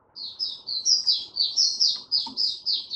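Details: White-eye in an opening song while steadying its form, 08012022: a continuous chain of bright, high warbled notes, roughly four per second, each a quick rising-then-falling slur, with faint low clatter beneath.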